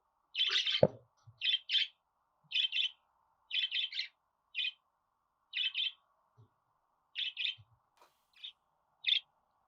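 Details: Steady series of harsh budgerigar chirps, singles and pairs about once a second, with a faint low knock near the start.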